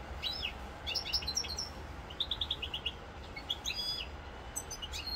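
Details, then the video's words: European goldfinch singing in Corsica on 7 November 2022, mixing sharp twittered notes, a neat fast series of ringing chips, and buzzy trills in brisk phrases over low background rumble. "chant chardonneret rosse corse"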